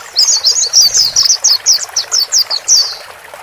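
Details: Male and female white-eyes calling to settle a newly bought caged bird; a run of about a dozen quick high chirping notes, evenly spaced and slurred, each brief and bright, with soft background hiss.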